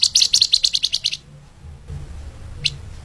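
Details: Flamboyan bird singing in the lemahan speed rapat style, used as a master for training other songbirds: one quick run of about a dozen sharp high chirps over a second, then quiet apart from a single lone chirp.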